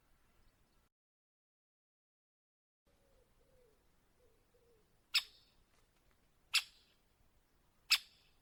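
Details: Great spotted woodpecker recorded in the wild: after a near-silent start, three sharp, loud, clicking notes ring out about one and a half seconds apart, with faint low murmuring in the background.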